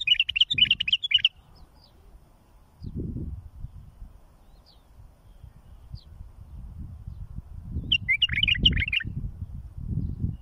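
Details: For tutoring and fledging chicks, a bulbul gives a rapid warbled phrase at the start and repeats it about seven seconds later. Faint thin ticks and a low rumbling background fill the gap.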